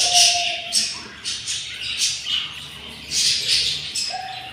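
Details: Day 7 in a yellow budgerigar nest where four eggs hatched and the young are very hungry. Loud, grating squawks come in quick bursts about twice a second, with short low tones at start and end.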